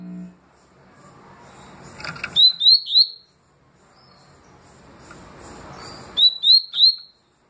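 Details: Double-collared seedeater song in the tui tui and deputado styles: three crisp upslurred whistles in a quick run, a pause with faint hiss, then another group of three matching notes.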